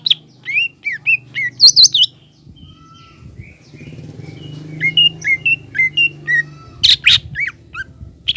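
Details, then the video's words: Green leafbird singing to provoke a juvenile speckled leafbird into anger and fighting spirit. Clear slurred whistles repeated at a steady pace, with a loud shrill burst and a faint low hum beneath. "CUCAK IJO GACOR MEMANCING CUCAK IJO TROTOL AGAR EMOSI DAN PANAS"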